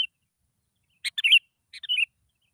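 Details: Sooty-headed bulbul lure song for prompting other bulbuls to sing: two short bubbly phrases, each a few quick notes slurring downward, separated by about half a second of silence.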